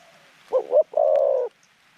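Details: Single phrase from a medium-voiced decoy zebra dove used to lure wild doves into a trap: two quick wavering notes, then one sustained, purring rolled coo.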